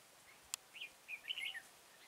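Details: Red-whiskered bulbul at a trapping site in Kim Bôi, Hòa Bình, 6 April 2017: a sharp click, then a lively run of chirpy, slurred whistled notes lasting under a second.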